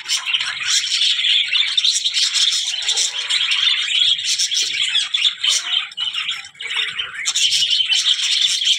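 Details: Budgerigars chatter and squawk in a fast, irregular patter of harsh chirps, the noisy warbling fading briefly twice before swelling again.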